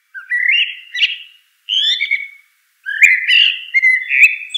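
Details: Eurasian blackbird song: rich mellow whistles sliding upward in three phrases separated by brief silences, with thin squeaky notes mixed into the endings; a clean recording.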